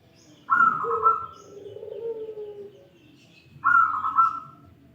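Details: Zebra dove of local wild stock with a 'crystal' voice, giving two rolling, trilled coo phrases a few seconds apart, each a bright burbling burst trailing into a lower drawn-out note, over a faint low hum.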